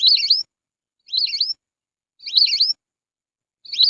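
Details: Lesser whistling duck lure call, used to attract the birds: clean high whistled phrases, each a quick twisting run of rising and falling notes about half a second long, repeated roughly every second, silent gaps between, no background sounds.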